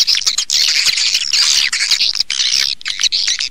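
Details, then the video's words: Stereo swiftlet calling and roosting sounds: an almost unbroken wash of shrill, squeaky twittering with brief dips, like many birds chattering together. "suara wallet-suara walet panggil + inap stereo-Suara Walet Original Bersih Plus Jernih"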